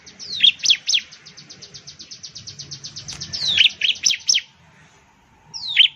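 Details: High, loud song of the bar-winged prinia, a bird of Indonesian plantations and villages: sharp descending chirps alternating with a steady dry buzzing trill, then a pause and one more chirp.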